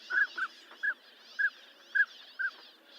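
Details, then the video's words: Six crisp, short whistled notes from a northern pintail, evenly spaced about every half second, with only faint background twittering. "SOUND OF A NORTHERN PINTAIL"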